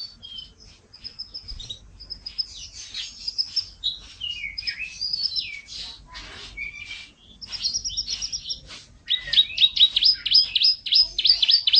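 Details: Canary song collection featuring national champion singers: varied high twittering with whistled notes, buzzy rolls and falling slurs, ending in a fast, loud repeated trill.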